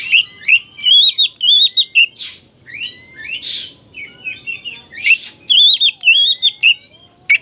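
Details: Oriental magpie-robin singing actively, its song used as therapy to rouse other magpie-robins to aggression and tail-spreading; rapid, varied high whistles and sweeping notes in dense bursts, broken by short breathy rasps.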